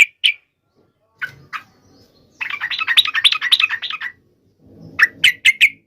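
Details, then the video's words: Trucuk (sooty-headed bulbul) singing sharply and with full emotion, aimed at triggering song in other trucuk birds. A few isolated sharp notes, a busy chattering phrase of about one and a half seconds, then more quick clipped notes. "trucukan gacor FULL EMOSI TAJAM ini AMPUH MENJADIKAN agar supaya burung trucuk gacor seketika"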